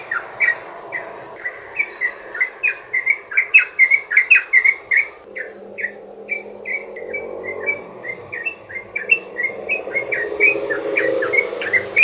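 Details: Sooty-headed bulbul long rolling song used as a lure for other bulbuls: a long fast sequence of crisp chirps, loud and dense early on, then softer and more spaced over a rising background murmur.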